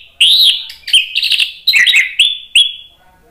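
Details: Orange-headed thrush singing excitedly, a song meant to spur other birds into singing: a continuous run of loud, rich, whistled phrases with slurred, falling notes and short, sharp accents over about three seconds.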